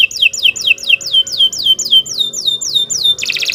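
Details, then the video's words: Canary singing as a master recording for training other birds: a series of about ten clear descending whistled slurs, evenly spaced, followed by a sudden dense buzzy trill. "Kicau Burung Kenari 134 II LUAR BIASA GACOR PANJANG Cocok untuk Masteran"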